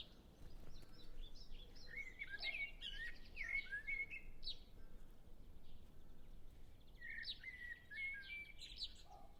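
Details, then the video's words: A singing common blackbird delivers two separate melodious phrases of low fluted notes followed by thin, high squeaky flourishes, while other birds sing softly in the distance. "Common Blackbird Sound Library"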